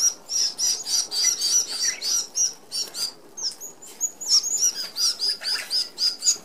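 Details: Feeding flock of red-browed finches at a mesh feeder in Australia: rapid, high-pitched squeaky calls repeated three to four times a second, overlapping and uneven, over a faint whir of wings.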